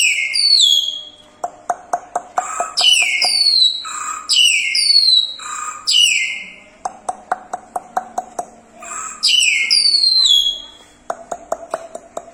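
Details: Crested myna singing in full voice: loud slurred whistles sliding steeply downward, repeated several times, interleaved with rapid runs of dry rhythmic clicks and a lower fluty note.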